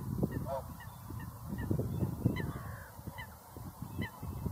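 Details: Whooper swans trumpeting: repeated short, ringing honks with clear upper harmonics, several per second early on, mixed with a dense low murmur from the group.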